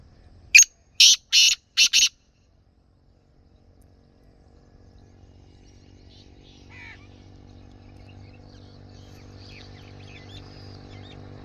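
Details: Black francolin giving a loud, harsh, grating phrase of four rapid clipped notes within about one and a half seconds, followed by near silence with faint distant rural background.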